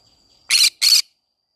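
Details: Two coarse, buzzy squawks in quick succession from a green-cheeked conure in a flower garden, each about a fifth of a second, over a faint constant high tone.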